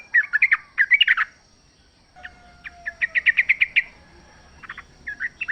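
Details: Wild sooty-headed bulbul singing in natural surroundings, used to prompt a caged bird to sing: bursts of short, bubbly, warbled notes in quick clusters, pauses between phrases, a faint thin whistle underneath.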